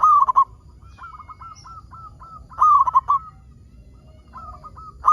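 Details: Lure song of a local zebra dove meant to set other zebra doves singing: a strong rolling coo, then a string of lighter clipped notes, with the loud phrase returning roughly every two and a half seconds.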